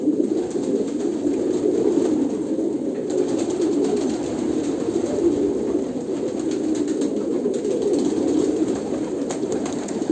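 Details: Kolkata pigeons keep up continuous low coos, a throbbing chorus with soft swells and intermittent crackling above.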